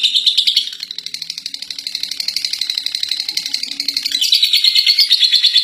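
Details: Lovebird that took first place in a contest, delivering ngekek: a long, fast, high chattering trill with even pulses, loud at first, dipping in the middle, then rising again near the end.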